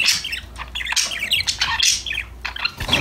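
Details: Happy budgies chirping and singing together produce a dense, continuous chatter of rapid high chirps, buzzy notes and short sharp squawks with barely any gaps.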